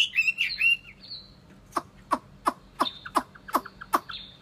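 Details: Chinese hwamei, a caged pet bird in Vietnam, opens with a few whistled notes, then gives a series of sharp clicking knocks about every third of a second.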